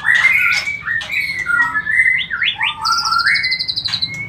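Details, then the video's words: Lure song of a white-rumped shama meant to hasten mating: strong whistles, stepped upslurs, then a high rapid buzzy trill and closing whistled notes. "Memberikan Pancingan Murai Batu Agar Cepat Kawin"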